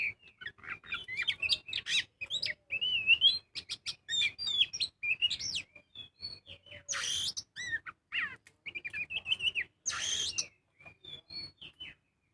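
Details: Long lure phrase from a kacer (magpie-robin) in 'gacor full ngobra' song: busy sequence of varied whistles, clicks and chatter, two loud harsh buzzy outbursts, fading into softer high notes at the end.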